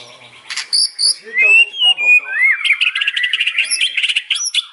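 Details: A white-rumped shama sings in the afternoon with sliding pure whistles and a rising slurred note, followed by a dense chattering run of fast scratchy notes.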